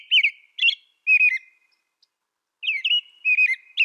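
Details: American robin singing short warbled, whistled phrases in separate bursts, with a pause of over a second between groups and a clean, quiet background.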